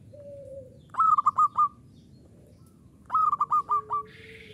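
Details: Two rhythmic phrases from a local zebra dove, each a quick series of five or so loud, clipped cooing notes. A softer, lower drawn-out tone sounds before and after.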